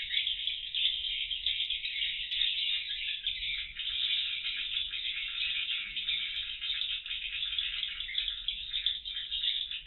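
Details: Many swiftlets inside the void, or circulation room, of a cardboard swiftlet house, monitored on CCTV before moving into the roost rooms; continuous rattling wall of sharp high clicks and chirps, steady in loudness throughout.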